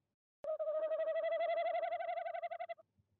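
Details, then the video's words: Tawny owl at nest box 1 in De Mortel on a January evening at 19:33 gives one sustained, trembling hoot lasting over two seconds, a steady pitch pulsing rapidly and fading at the end. "Bosuil bezoekt uilenkast 1, roept 19:33 CET"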